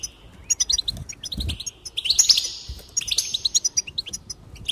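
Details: Goldfinch song intended to encourage singing: a chattering mix of quick high chirps and buzzy trills, with a brighter buzzy burst in the middle and steady twittering through to the end.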